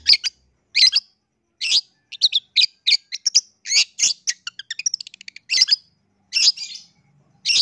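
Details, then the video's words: Long-tailed shrike singing a lure song meant to make rival shrikes respond: loud, piercing chirps spaced about half a second apart, broken midway by a quick rattling trill of tiny notes, then more sharp calls. "Cendet LAIN gak bisa DIAM dengar SUARA Pancingan Pentet GACOR yang satu ini"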